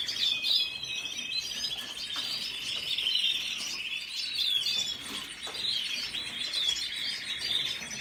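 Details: Red siskin twittering steadily, with quick sweeping notes and thin buzzy trills tumbling together in a lively, unbroken stream.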